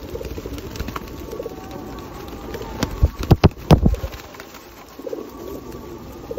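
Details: At Osu Kannon in the 2021 rain, a feeding flock of feral pigeons gives soft low coos, interrupted around the middle by a flurry of sharp wingbeats and clatter.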